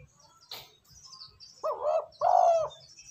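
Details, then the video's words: ['Spotted dove coo played to rouse wild doves and train decoys: after a brief rustle, a single phrase of a soft rising note then a longer, steady mellow coo, with faint bird chirps in the background.'] "Tiếng cu gáy kích bổi nhanh nổi"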